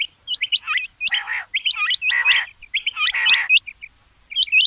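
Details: Rain quail uttering dense runs of sharp, upward-hooked whistles that overlap, with broad buzzy lower calls from another bird mixed among them.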